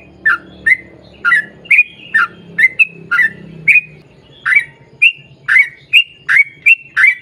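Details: Sooty-headed bulbul in long rapid 'ropel panjang' song, meant to prompt other birds to answer. Clipped, bright notes repeat every half second over a murmuring low background.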